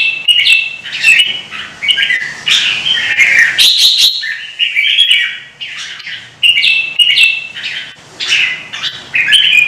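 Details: Vietnamese contest bird, a caged red-whiskered bulbul, pours out an aggressive dueling song: chains of short whistled and chattering phrases, roughly one burst per second, with crisp clicks.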